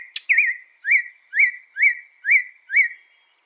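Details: Northern mockingbird (Mimus polyglottos) in loud, fast song: six rising-then-falling slurred whistles repeated about every half second, preceded by one sharp click-like note.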